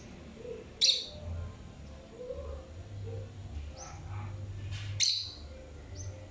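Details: Pet lovebird exploring and singing, ignoring its owner calling it, gives two sharp, high shrieking chirps about four seconds apart, with softer twittering between and a low background hum.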